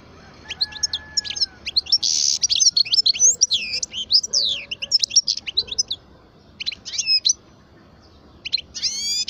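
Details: European goldfinch, parva form, aged twelve, singing a rich run of chirps, liquid slurred whistles and a buzzy trill, with a gap before closing with a few sharp rising notes.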